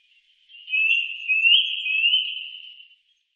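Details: Eurasian nuthatch in the Wittlich valley, 2018, producing one sustained, high, wavering whistled trill lasting over two seconds, slightly rising and falling in pitch.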